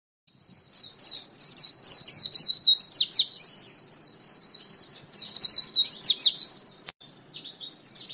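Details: A decoy white-eye gives a long, rapid, high-pitched twittering warble of thin slurred notes, pouring out almost without pause, with one sharp click near the end.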